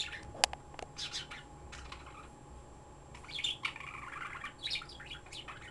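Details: A talkative pet bird chirping energetically: a sharp squeak, then tumbling bursts of high chirps and warbled notes, with a steady electrical hum underneath.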